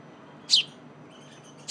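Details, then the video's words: Young sparrow begging while being fed by its mother on softened seeds; two short, high, sharp chirps about a second apart over a quiet background. "Snack time for young Sparrow"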